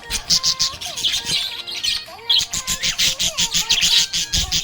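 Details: Budgerigar in a happy mood keeps up a steady, pulsing warble of bright chirps and raspy notes, repeated several times a second with only short dips between bursts.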